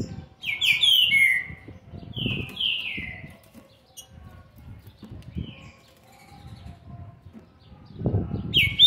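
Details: Young green-winged saltator, aged seven months and twenty days, gives bright falling whistled notes in short bursts at the start, then only faint notes, with a final note rising at the end over soft background noise.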